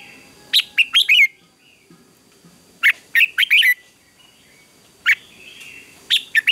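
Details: Red-whiskered bulbul giving competitive morning song in training: four brisk phrases of sharp, chirping whistles, some full and some clipped to two or three notes, spaced one to two seconds apart over a faint steady hum-like tone.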